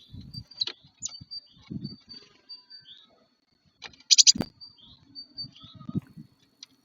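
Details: At the end of January a dominant male great tit, off the feeder to claim a nesting tree hole, sings high, thin, repeated two-note phrases to mark his territory, with low knocks and a few sharp clicks close by.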